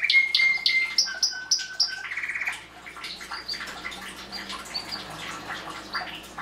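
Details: Canary singing a varied song: rapid repeated high notes and steady trills shifting in pitch, then softer, busier twittering phrases toward the end.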